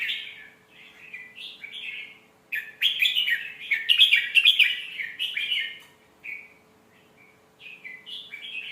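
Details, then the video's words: Red-whiskered bulbul song in a melodious phrasing style, played to teach young birds: short warbled phrases, then a loud dense run of rich notes, followed by softer slurred notes and a pause. "เสียงนกกรงหัวจุก สำนวนเพราะๆ เปิดสอนลูกนก"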